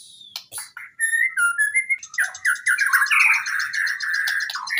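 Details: White-rumped shama in full energetic song, used as a training recording for shamas that rarely sing: sharp high notes open, then rising clear whistled phrases, breaking into a fast, continuous run of chattering, rolling notes.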